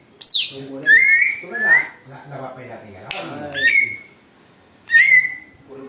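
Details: Greater green leafbird, noisy and able to imitate an eagle, used for luring: a high whistle falling steeply, then loud slurred whistles that rise and level off, repeated with gaps, over a low harmonic chattering underneath.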